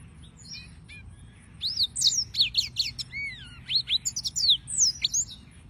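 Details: Yellow-fronted canary singing a lively, varied song after a quiet start: sharp rising and falling whistled notes, quick chirps and a descending slur, delivered in fast irregular bursts.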